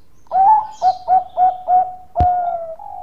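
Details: Loud, close Bangkok-type zebra dove singing as a lure for other doves: a quick run of five rhythmic rolled coos followed by a long, steady, slightly falling note, broken by one sharp knock.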